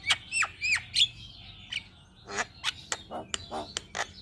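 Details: Javan myna singing persistently, described as calling day and night and suited as a master recording to stimulate other birds: three rising-falling whistled notes, then a burst of harsh, buzzy squawks and clicks in quick succession.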